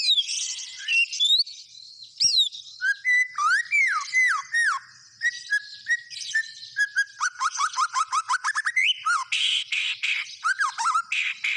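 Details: White-rumped shama in varied song: high whistles, a sharp click, looping slurred phrases, an accelerating series of short descending notes, then harsh buzzy bursts.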